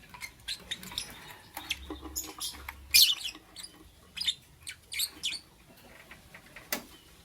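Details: Lovebird in the morning giving scattered, sharp high chirps at irregular intervals, with a few louder bursts around the middle and quiet gaps between notes.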